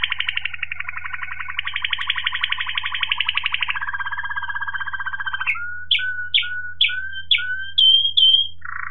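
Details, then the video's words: Waterslager Malinois canary recorded in 2018, singing a fast, dense rolling trill for about five seconds, then a series of short, bubbling water-drop notes spaced about half a second apart, ending in a higher whistle and a brief rattle; faint steady hum underneath. "Waterslager Malinois Canary"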